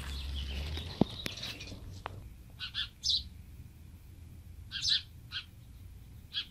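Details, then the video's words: House sparrow baby found beside a house and placed in an old nest in a palm tree to meet its mother; sharp high chirps in short clusters every second or so, with a soft knock and background hum. "HOUSE SPARROW BABY MEET HIS MOM!"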